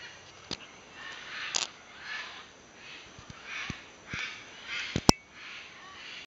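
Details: Harsh, raspy macaw squawks at a macaw sanctuary repeat roughly every second, somewhat distant, with a few sharp clicks or knocks in between.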